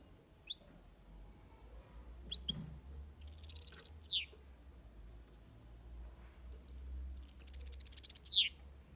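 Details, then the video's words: Goldfinch in an aviary delivering 'copia Malaga' song: scattered high chips, then buzzy trills each closing with a long falling slur, heard twice over faint low background hum. "Goldfinch song/ best chirping of the goldfinch | Jilguero Cantando copia malaga/ chardonneret chante"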